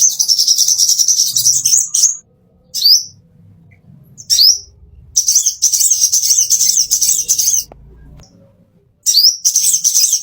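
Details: Plain-throated sunbird training song for caged birds: long, rapid, high trills broken by single upswept whistles, with low background rumble between phrases.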